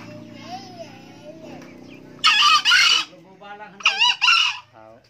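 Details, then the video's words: Two harsh, split crows about two seconds apart from an old male green junglefowl, each a short pair of rasping bursts. A low wavering tone and soft clucking come before them. "ayam hutan hijau pak tua rajin kokok"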